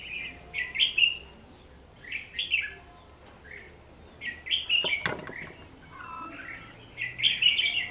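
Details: Red-whiskered bulbul at a trap, its fighting song used as a lure, December 2015; rich chattering warbles repeated every second or two, with a sharp click or wing sound near the middle.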